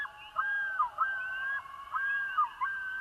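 A Common Loon yodels: rising, wavering whistled phrases that swing up and down, repeated about every second and a half.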